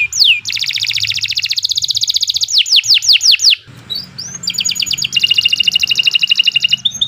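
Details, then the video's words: Canary singing a long, loud song meant as a master recording for training other birds: a swept note, a long fast buzzy trill, a run of descending swept notes, then more rapid trills. "42 Kicau Burung Kenari II GACOR PANJANG Cocok untuk Masteran"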